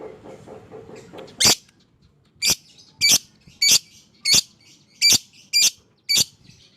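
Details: Fighter lovebird calling as therapy to prompt quiet lovebirds into song: a string of harsh, buzzy high notes repeated roughly every half second, after a faint background murmur at the start.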